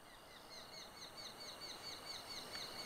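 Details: Eurasian hobby nestlings, close to fledging and hungry as their parents bring food, give thin, high, rising-falling squeals that come quickly and overlap, over a steady hiss of outdoor noise.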